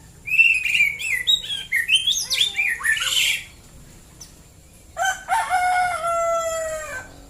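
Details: White-rumped shama singing in the morning in rural Klaten, Central Java. A rapid jumble of varied chirps and whistles is followed by a long, harsh, drawn-out note that slowly falls in pitch.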